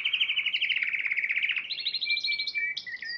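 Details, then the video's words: Spanish Timbrado canary, champion of the Piala Raja singing contest in March 2014, delivering a steady metallic trill that slides gently lower, then breaks into higher stuttering notes and flat sustained whistles near the end. "Kenari Spanish Timbrado Juara Piala Raja Maret 2014"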